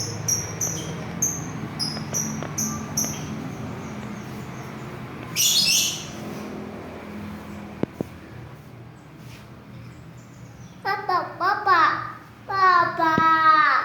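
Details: Lovebird chick giving melolo song; thin, high peeps repeated about every half second, later a burst of harsh, raspy chattering notes with sliding tones, against a low background hum.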